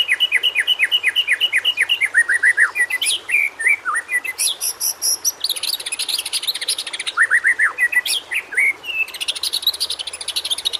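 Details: White-rumped shama (murai batu) training song: a steady series of repeated down-slurred whistles, then mixed high chattering and harsh buzzy notes, returning to quick descending slurs.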